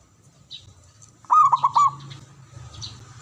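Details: A single phrase from a male local zebra dove of Java: four or five rapid, rounded cooing notes tumbling together in under a second, set against a low droning hum and faint high chirps.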